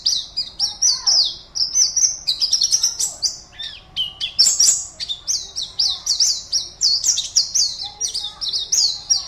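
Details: Oriental white-eye in a cage, entered in an online singing contest from West Kalimantan, Indonesia, pours out a long, dense chatter of shrill chirps and falling whistled notes, briefly pausing once before resuming.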